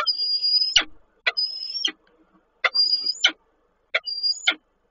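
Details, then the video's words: Male peregrine falcon calling to his mate at Koszalin, Poland, on 8 March 2023: four repeated calls, each a steady high whistled note framed by sharp downward-sweeping harsh notes, spaced about a second apart. "samiec woła Nilę"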